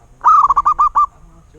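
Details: Single perkutut (zebra dove) phrase, heard close: a drawn-out rising coo leads straight into five quick, evenly spaced throaty notes, all over in under a second.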